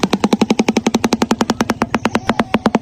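A shoebill clatters its bill in a rapid, steady rattle of hollow knocks, about eight per second, like a wooden machine gun, with nothing else prominent.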